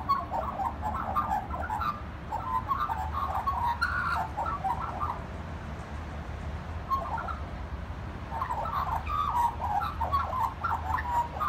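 A magpie sings a mellow, warbling run of fluty notes in two long bursts separated by a brief pause, over a steady low rumble.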